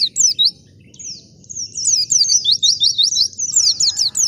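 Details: Wild white-eye song used as a lure to draw other white-eyes to answer: a few sharp high chirps, a pause, then a dense run of bright, twisting, tumbling notes. Faint low background rumble.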